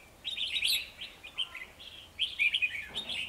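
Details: Two male red-whiskered bulbuls at a trap on 9 December 2020, wanting to fight a decoy bird; lively warbling phrases of short slurred whistles, one burst early and another toward the end, a soft pause between.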